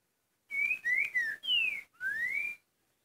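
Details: A green-winged saltator (trinca-ferro) delivers the "curricutil" song as a single phrase of four clear whistles, the third sliding downward and the last rising steadily, over a faint low hiss.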